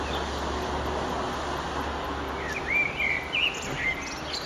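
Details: Eurasian blackbird at sunset on 9 June 2011: after about two and a half seconds of low hum and hiss, a bright warbled phrase of rising and falling whistles follows.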